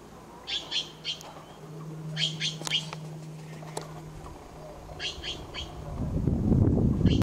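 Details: Taiwan blue magpie at Datun Nature Park, Yangmingshan, on April 11, 2018, gives short, harsh notes in quick bursts of two or three, with a steady low hum and wind rumble near the end.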